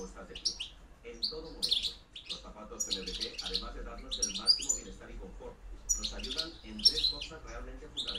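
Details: Campero-style reclamo of a European goldfinch from 2013-2014, with fast high chirps and twitters in loose clusters about every second or two, and a low humming, harmonic background beneath.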